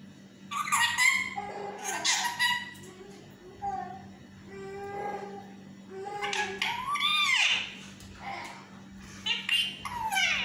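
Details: Yellow talking parrot at home babbling speech-like phrases, mixing low mumbled tones with harsh swooping squawks in a continuous chatter.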